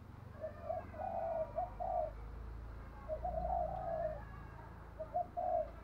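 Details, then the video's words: Decoy spotted dove giving thúc gù bài lối coos: three groups of low, soft cooing notes about two seconds apart over a noisy, rumbling background. "Thúc gù bài lối | Cu gáy mồi bài bản"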